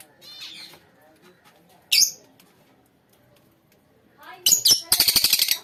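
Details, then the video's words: Lovebird colony: faint chatter, one abrupt shrill squawk, then a burst of rapid, pulsed, harsh screeches repeated in quick succession at the end. "lovebirds colony"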